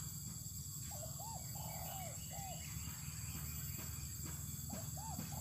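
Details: Spotted dove being sunned outdoors on open land, giving short hooked, rising-then-falling cooing notes in a loose series, one longer drawn-out note among them, over a steady low rumble and faint high insect hiss.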